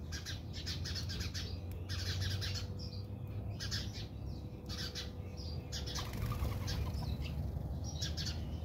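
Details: Quarrelling house sparrows in a backyard in South Africa: quick, uneven bursts of harsh chirps from several birds, about four per second at times, with possible wing flutters, over a continuous low hum.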